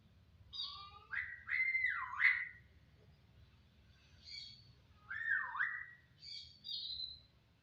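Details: Jalak, a starling, producing loud slurred whistles that zigzag up and down, a short high chirp, another swooping whistled phrase, and closing high twittered notes.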